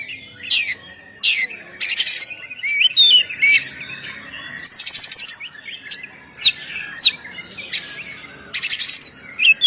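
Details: Oriental magpie-robin (kacer) singing in the loud 'ngeplong' style, a recording used as a lure for birds: bright whistled notes, rising slurs and buzzy bursts come in short phrases with brief pauses between them.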